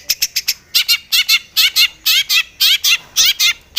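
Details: Long-tailed shrike calling emotionally while seeking an opponent: a few short clicks, then loud grating, buzzy notes with a wavering tone, repeated in pairs about twice per second.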